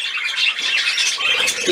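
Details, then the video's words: Budgerigars at play on 13 December 2019: brief, loud, rasping squawks and chirps run together in a steady high chatter. "Der Wellispielfilm"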